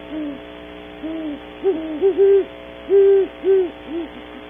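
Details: Great horned owl pair at a nesting cavity, Audubon Starr Ranch, California, early morning: soft distant hoots at first, then a closer series of louder, rounded hoots, two pitches alternating.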